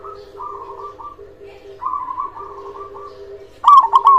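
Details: Local zebra dove, a strong singer used to encourage quiet doves; mostly softer rolling coo phrases from several doves, ending with one loud stuttering burst of quick notes, over low continuous cooing.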